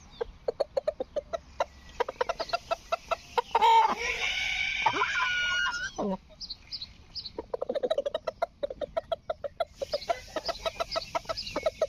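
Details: Rooster, presented as a rooster that talks, gives one loud, drawn-out harmonic crow of about two seconds, set between runs of rapid, evenly spaced short clucks before and after.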